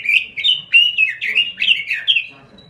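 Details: Robin in full voice: about seven quick, slurred warbling phrases tumble one after another, then fade out at the end.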